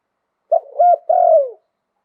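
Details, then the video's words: Single phrase from a Thai zebra dove in liw tan style: a short coo, a flat clipped middle note, then a long, slightly rough coo that slides downward and fades. "หลิ่วตัน มงคล ขันโยนเพราะๆเสียงป่า"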